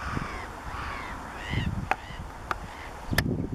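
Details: Water rail at Doonfoot, Ayrshire, Scotland, on 18 October 2018, filmed with a Canon SX50HS: drawn-out, harmonic squealing notes that rise and fall, followed by a few sharp clicks amid low rustling and wind noise.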